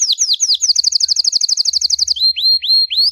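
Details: Belgian canary in 'campainha' (bell) song, meant to warm up canaries and train youngsters: a few descending notes, then a quick even trill for over a second, then slower upward-curving whistles.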